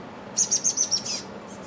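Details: A chestnut-backed chickadee in a back yard gives a quick run of five very high, thin notes, about seven per second, ending in a faint falling trail; the background is quiet.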